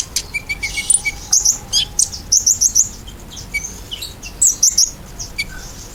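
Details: Ruby-cheeked sunbird, known locally as kolibri ninja, in a lure recording meant to make pet birds sing in reply: sparse, very high thin chirps and short squeaky notes scattered irregularly, with a few lower whistled notes in a quiet indoor-sounding background.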